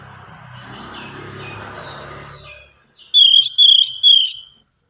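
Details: Orange-headed thrush song used as a lure to get reluctant birds singing: after a murky low rumble, long high descending whistles, then a quick series of four sharp repeated notes, ending in silence.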